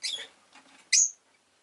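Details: Rosy-faced lovebird makes two sharp, high chirps less than a second apart, the second louder and ending in a thin whistled tail.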